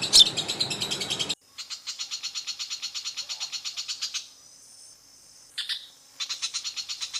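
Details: Long-tailed shrike singing in its natural habitat: fast buzzy pulsed trills broken by short pauses, one brief burst of squeaky notes in the middle, then the pulsing trill returns.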